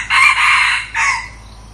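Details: Decoy red junglefowl newly brought out for trial crowing: a long, harsh, rasping phrase with a tiny break, then a shorter clipped final note, fading into quiet surroundings.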